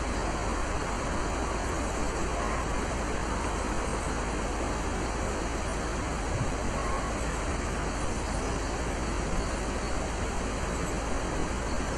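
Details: Steady broadband roar like distant traffic fills the whole recording with no bird or other animal calls audible.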